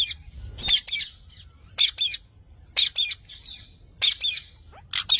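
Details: Green parrot calling with loud, grating squawks, often in doubled bursts, repeated roughly once a second against a quiet background.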